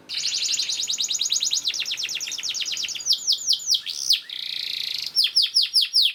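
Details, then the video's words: Canary tutor song with a long, very fast high trill lasting about three seconds, followed by slower sweeping whistles and a buzzy note, against a light hiss. "KENARI GACOR SPEED RAPAT UNTUK MASTERAN KENARI ANDA"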